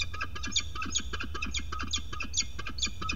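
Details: Female peregrine falcon at a nest ledge on a falcon cam, 6 May 2022, agitated by a stranger falcon approaching; harsh, rapid kak-kak-kak notes repeated steadily about eight times a second throughout, over a low background hum.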